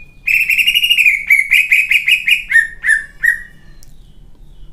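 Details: Singing competition greater green leafbird pouring out a fast string of loud, buzzy-edged whistled notes, about two and a half per second, slowly dropping in pitch before falling silent.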